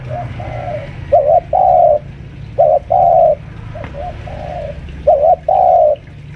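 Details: Home-kept senior spotted dove used as a lure, around five years old, pressing a rival with repeated two-part coos, a brief wavering note followed by a long mellow coo, with quieter coos between phrases and steady low background hum.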